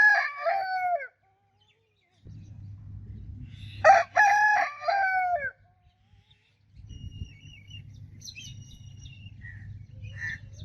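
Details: Rooster crows twice: a clipped ending of one crow at the start, then a full harmonic crow with a long falling last note, with distant small-bird chirps and steady low background hum afterward.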